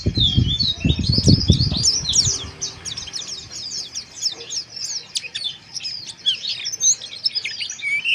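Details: White-eye harsh 'ngeriwik' chirping used to raise breeding arousal: continuous high, fast twittering and sharp squeaks, with low rumbling thumps during the first two seconds before fading to the birdsong alone.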